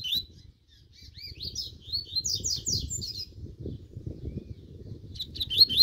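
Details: Double-collared seedeater warming up its fast song: a three-second string of high, rising and falling whistled slurs, then a short closing phrase, over low rumbling noise.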